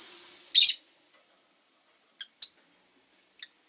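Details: Rosy-faced lovebirds in a window-side cage. A harsh, raspy screech is followed by three short, high chirps over a faint background murmur.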